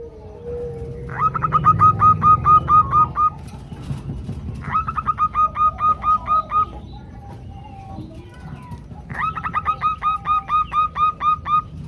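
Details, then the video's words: A group of female zebra doves calling the male, used to coax doves into song: three separate bursts of rapid, clipped, ticking notes, each lasting about two seconds, with quiet gaps and low background noise between them. "ombyokan perkutut betina memanggil jantan"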